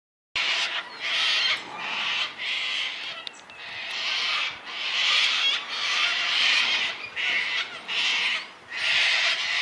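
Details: Sulphur-crested cockatoos in Tasmania, Australia (dated 040420) give harsh, grating screeches almost without pause, about a dozen raucous bursts in under ten seconds, each loud and broad, with little else audible.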